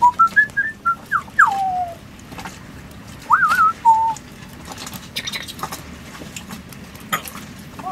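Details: Female African grey parrot living aboard a sailboat in the Caribbean gives clear whistles: a quick run of rising and falling notes, a long descending slur, then a wavering whistle ending low, with faint background noise.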